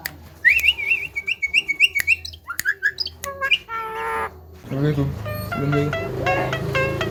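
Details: Javan myna showing off its talking and mimicry: a fast run of short, rising whistled notes, then denser harmonic, voice-like phrases, with music playing in the background.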